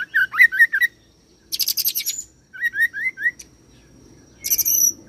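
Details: An oriental magpie-robin singing rolled cililin and serindit mimicry: twisting whistled notes, a dense high rattling burst, a few evenly spaced rising chirps, then a final shrill high phrase.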